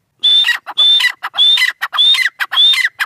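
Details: Grey francolin female gives loud rhythmic phrases, each a clear high whistled note leading into raspy clucks, repeated five times at a steady pace of roughly one phrase per half second.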